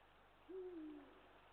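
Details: Single low hoot of a Eurasian eagle-owl from 20 March 2023, a brief steady tone easing downward at its end, with faint hiss and nothing else around it.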